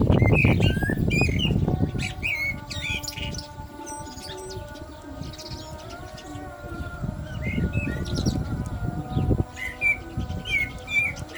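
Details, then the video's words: Common blackbird singing during the Islamic call to prayer. Short fluted, warbled phrases alternate with high thin twitters. The sustained chanted call to prayer continues underneath, with loud low rumbling at the start and around eight seconds. "Lovely Black Bird Voice صوت المسوود مع الاذان - طائر المسود مع الاذان"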